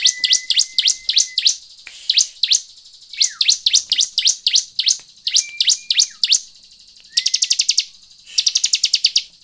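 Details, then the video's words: A bar-winged prinia sings loud, high, rapid bursts of sharp chirps, repeated in quick trills and short phrases, with a thin steady whistle beneath. "PANCINGAN CIBLEK AGAR BUNYI DAN CEPAT GACOR/ CIBLEK GACOR."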